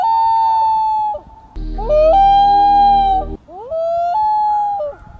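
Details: Common loon (Gavia immer), wail call.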